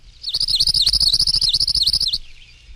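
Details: Palm Warbler song from a field guide recording of bird songs: a rapid, even trill of thin, high buzzy notes lasting about two seconds, then fading into quiet.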